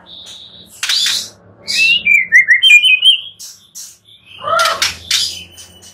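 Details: White-rumped shama song amid clicks and low hum: a warbling run of quick whistled notes that dips and climbs, then a loud sweeping note and further rustling sounds.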